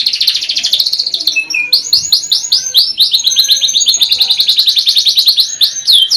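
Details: Canary in song, a loud continuous run of rapid repeated trills and rising-falling whistled notes, high and bright, with quick shifts between phrases and no other sounds.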